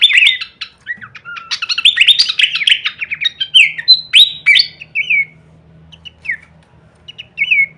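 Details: Pelanduk semak (Horsfield's babbler) singing full-variation kleperan for masteran use: an energetic opening of dense, overlapping twitters and rattles, tapering into a few spaced whistled slurs with a low hum underneath.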